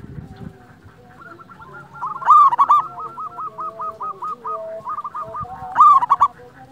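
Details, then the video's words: Local zebra dove used to lure and rouse doves. Two loud cooing bursts of quick stuttered notes are separated by a long, soft, purring run of repeated coo notes from another dove in the background. "Masteran pancingan perkutut lokal alam suara istimewa besar"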